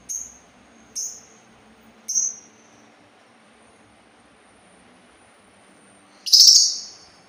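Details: Sultan tit giving three short high buzzy notes about a second apart, silence, then one loud harsh rasping burst.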